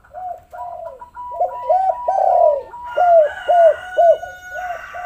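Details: Spotted dove cooing, played as a lure to prompt reluctant doves to call: a steady run of low, rounded coo notes, some overlapping and drawn out, with a faint steady hum rising behind in the second half.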